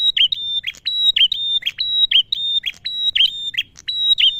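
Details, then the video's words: Piercing whistled song of a male prinia, repeated about once a second: level high tones ending in abrupt downward chips. The recording is meant to coax prinias and ciblek into singing. "Suara Prenjak Tamu Jantan Gacor - Pancingan Ampuh Bikin Burung Prenjak& CIBLEK Bahan Cepat Bunyi"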